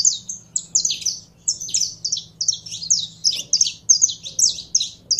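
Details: Saffron finch, a kept bird being fired up into song, delivering a loud, dense run of high, clipped chirps and short slurred notes nearly without a break, a faint low hum underneath.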